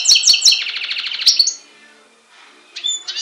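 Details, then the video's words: Goldfinch-canary hybrid from Syros, Greece, recorded July 2007, bursting into a bright, rapid rolling trill that ends in a clear whistle, then a brief silence before chirping resumes. "Carduelis Carduelis X Canary singing from Greece/Syros"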